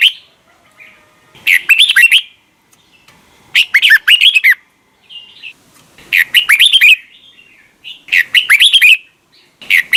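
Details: Red-whiskered bulbul singing the double-note wild-veteran morning song, "âm kép già rừng": short bubbly phrases of slurred whistled notes repeated about every two seconds, with quiet pauses and a few soft chirps between.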